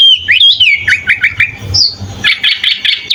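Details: Sooty-headed bulbul in full-fill song, intended as a master recording for training other birds: slurred whistled notes rising and falling, then a high clear note and a quick run of bright chirps, over a faint low hum.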